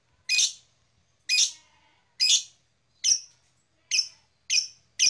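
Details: Blue black-masked lovebird repeating loud, harsh high chirps roughly once a second, seven notes in a row, each sharp and brief.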